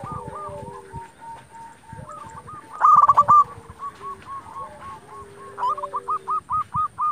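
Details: Lively local zebra dove song used to lure and excite other doves: soft overlapping coos, a loud burst of rapid rattling strokes near three seconds, then a run of evenly spaced loud coo notes.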